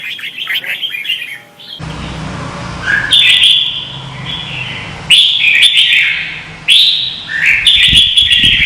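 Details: Red-whiskered bulbul contest singing recorded in Vietnam for use as lure sound: bright warbled phrases repeated in bursts, with a patch of rushing hiss and low rumble in the background after the opening.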